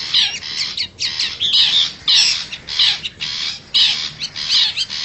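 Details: Lure call of a wild forest long-tailed shrike meant to attract wild birds nearby: rasping, grating squawks repeated in bursts of roughly half a second, with short pauses between them.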